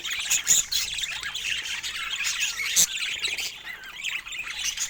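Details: Pet budgerigars sharing space with parrots fill the air with steady high-pitched warbling chatter, punctuated by sharp squawks near the start and a loud piercing chirp just before the third second.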